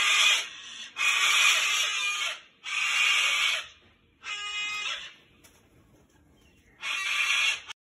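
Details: A cockatoo caught on a balcony wire fence, crying for help while trying to get free, gives loud, harsh, grating screeches in bursts of about a second, five times over with short pauses between.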